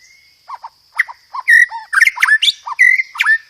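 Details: Loud, clear song of a white-rumped shama (murai batu) rich in 'roll tembak' material with gereja tarung insertions: low whistled notes build into fast, harsh, high chattering bursts roughly twice a second.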